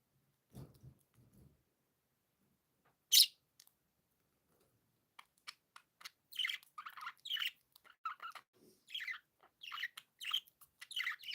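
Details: Happy pet budgie chirps: a few soft scrapes and one sharp squeak, then after a pause rapid high chirps and warbling notes grow busier toward the end.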